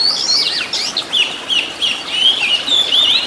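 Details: Oriental magpie-robin (kacer) master song with rich filler, recorded to get caged birds singing. Fluid, looping whistles and warbled slurs flow continuously, with wavering notes and quick twittering runs.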